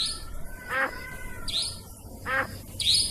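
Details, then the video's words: Nightjar heard on a trapping lure: two high rising rasping notes, interleaved with two lower downward-sliding calls from another bird. "Suara pikat burung cabak ribut ampuh"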